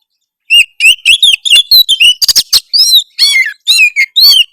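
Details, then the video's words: Oriental magpie-robin singing a harsh song to provoke rivals: tight sequence of whistled, rising and falling slurs, a cluster of harsh buzzy rasps midway, then more ringing whistled notes. "suara kacer kasar memancing lawan"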